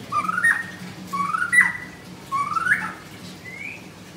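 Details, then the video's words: Singing energetically, a caged white-rumped shama at a bird shop in Kemayoran, Jakarta, Indonesia gives three mellow, rising whistled phrases about a second apart, each ending in a sharp upward note, then a soft final whistle over a low hum. "Murai Batu Gacor"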